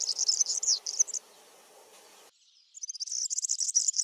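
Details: European serin in a backyard with Brassica oleracea seeds pours out a quick, sizzling, high jingle, stops with a faint low hum beneath, then resumes a similar rapid twittering phrase.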